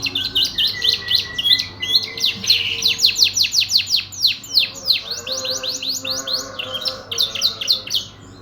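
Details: Canary in full song: dense volleys of rapid, high, downward-sweeping chirps and trills, broken by brief clear whistles, delivered almost without pause and at a strong, steady volume.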